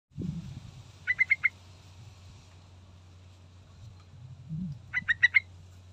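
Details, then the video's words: Yellow-vented bulbul lure recording meant to provoke a response from other birds: two short bursts of four quick chirpy notes around one pitch, a few seconds apart, with a low rumble at the start and steady low hum. "Dijamin Respon III Dengar Pancingan Trucukan Gacor Full Isian"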